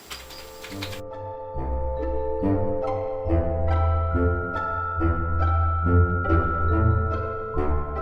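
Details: Mallet-like music with ringing tones over a low thumping bass line; no animal sound is heard.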